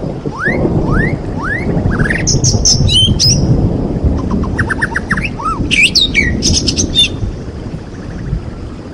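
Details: White-rumped shama, a champion bird, over steady heavy rain noise: three rising whistles about half a second apart, then rapid chattering phrases and high buzzy bursts.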